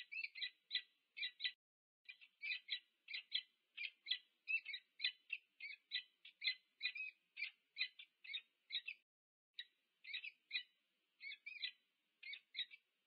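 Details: A peregrine falcon pair greets at the nest at UC Berkeley, USA, 2 November 2022, with a long, regular series of short, harsh clipped notes, often in twos and threes, for about thirteen seconds.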